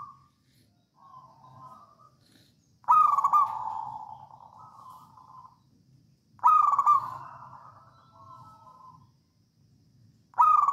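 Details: Local wild zebra dove from Java singing gacor-style in the songgo ratu pattern, used as a training lure for other doves. Loud rolling coos with a sharp start and a drawn-out purring tail repeat about every four seconds, with quieter coos between them.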